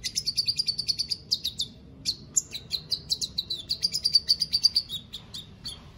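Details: White-rumped shama, caged and competing in an online song contest, from Palu, Central Sulawesi: rapid strings of bright, high repeated notes, about four to five a second, broken by brief chirps and a slurred whistle.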